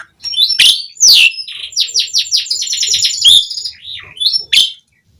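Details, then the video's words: Asian pied starling in steady song, used to prompt starlings to sing: loud rasps and a falling whistle, then a rapid chattering series of repeated notes, a bending whistle, and a final harsh burst. "Suara Jalak Suren Gacor Langsung Ampuh bikin Bunyi buat Pancingan Burung Jalak Agar Gacor Full Isian"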